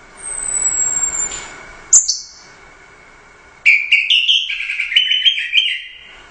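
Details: Gacor teler doyong song from a Royal Cup first-place orange-headed thrush. A long, very high thin whistle and a sharp note are followed by silence, then a lively run of warbled, rapidly changing whistles. A faint steady background tone is present.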